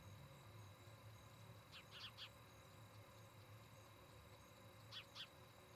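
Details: Osprey at its nest near Charlo, Montana, picked up by a nest camera on 17 August 2018 between 18:29 and 19:29: two pairs of short, sharp, downslurred whistled chirps over a steady low electrical hum.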